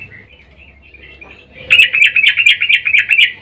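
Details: Female sooty-headed bulbul in breeding mood calling to the male, a lure call: quiet soft notes at first, then a sudden loud run of quick bubbly chirps repeated about twice a second.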